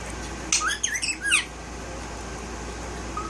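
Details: Pet male Indian ringneck parakeet talking indoors: a quick cluster of raspy, wavering, speech-like syllables lasting under a second, then quiet room hum with faint background music.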